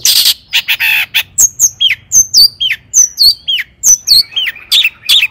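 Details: Long-tailed shrike in full song, a lure for other shrikes: scratchy opening notes, then rapid high, whistled notes dropping in pitch, delivered several per second.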